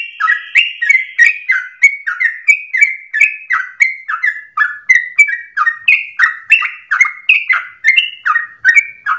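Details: Actively singing Sooty-headed Bulbul in a long continuous song used as a lure for training birds: a nonstop run of rich, gurgling whistled notes, each quickly rising then falling, at about three per second.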